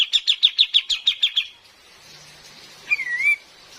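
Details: Female cream-vented bulbul calling, used to lure birds in the forest, with rain: a fast even series of about eight high chipping notes, a pause, then one wavering downslurred whistle, over rain hiss.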